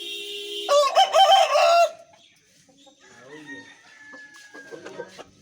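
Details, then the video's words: An Aseel rooster from Pakistan gives one loud, harsh crow lasting over a second, followed by quieter scattered clucks and faint background sounds. "aseel rooster crowing"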